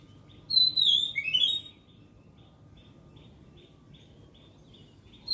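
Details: Oriental magpie-robin singing a melodious song: one loud clear whistled phrase that slides down and then up over about a second, followed by faint soft repeated notes, over a steady low background hum.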